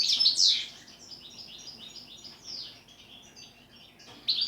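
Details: A goldfinch gives its song in the style called pletivo, ziju u ziju, stanka. It opens with loud, high chirps, fades to soft twittering, then ends on a sudden bright note.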